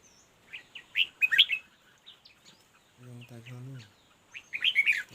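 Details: Red-whiskered bulbul recorded during fight-based decoy trapping: scattered sharp chirps build into a rich warbled burst. A brief human voice hums low in the middle, then another bright warbling phrase follows.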